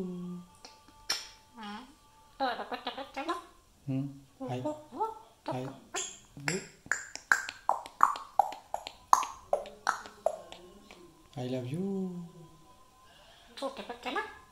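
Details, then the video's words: An African grey parrot imitates human speech in Urdu/Hindi in short word-like bursts, mixed with clicks, pops and a few whistled notes, in a small indoor room. "African Grey Parrot Is Talking In Urdu||Hindi"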